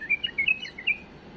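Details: Bulbul, tame, singing error-free song to tutor young birds: a fast string of clear, slurred whistled notes stepping up and down in one short phrase.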